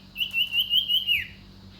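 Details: Common iora giving a long, sustained, high whistle with a slight warble that drops sharply at the end, over a faint steady hum.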